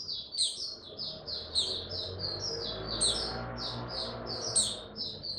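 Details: Male white-eye (Mata Puteh) kept in a cage, slowly gaining confidence to open up in song, recorded 06032022. Continuous thin, high chattering notes tumble quickly one after another, with faint low rumbling underneath.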